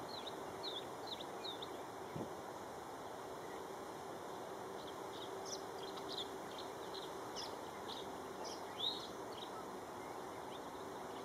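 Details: Male tree swallow guarding and perching on its nest box while preening, Jamaica Bay Wildlife Refuge, NYC, afternoon of 29 May 2010; faint high twittering chirps in scattered short bursts over steady broadband noise and a low hum.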